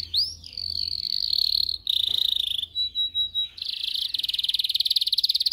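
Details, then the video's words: Canary song used for training young canaries to sing: long sustained high whistled tour, a rolled buzzy section, slow pulsed notes, then a rapid even trill. "Video for Canary training 25 m. Canary training 0.25 Hour canario canary song"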